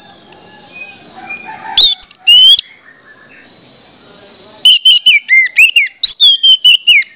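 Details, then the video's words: Loud orange-headed thrush lure song intended to get other birds singing, heard over a constant high hiss: a few sharp slurred notes, a pause, then a fast series of bright, varied whistles. "pancingan anis merah bikin anis merah lain cepat ngeplong"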